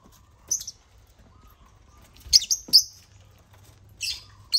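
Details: Agapornis lovebirds occupying a millet crane; scattered, isolated shrill squeaks, one early and a quick cluster of three near the middle, over a faint low hum.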